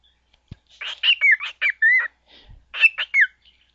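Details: Caged pet bird copying the jingle from a phone company advertisement, giving bright whistled phrases with falling and wavering slurs, broken by brief gaps, plus a soft thump and a faint murmur in the room.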